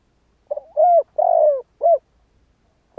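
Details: Cu gáy, or spotted dove, calling in kích bổi style: one four-note cooing phrase with two drawn-out middle notes and a quick end coo, followed after a pause by the first note of the next phrase.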